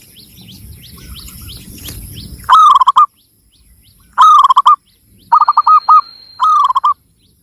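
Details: Local Javanese zebra dove singing in Cilacap, Central Java: after a low rumble and faint chirps, four short phrases of bright, slightly falling hooked coos, each about half a second long, separated by brief silences.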